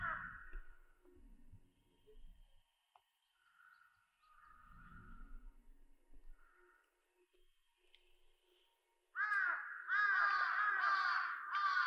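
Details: Wintering birds in the Hantangang River valley in winter; faint calls early on, then from about nine seconds loud, harsh, rapidly repeated chattering bursts, with low rumbling noise at times.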